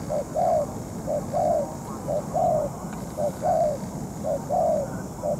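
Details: Trapping decoy spotted dove, moulting yet still calling against a wild bird; evenly spaced coo pairs, a short clipped note then a fuller falling one, repeated about every second.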